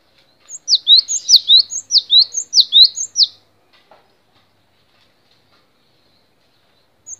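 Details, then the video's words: Song of the cinereous tit (gelatik batu) from a long training recording for songbirds: a rhythmic run of about seven paired whistles, each a sharp high downslur and a lower upslur, followed by near silence and a faint final note. "MASTERAN GELATIK BATU DURASI PANJANG"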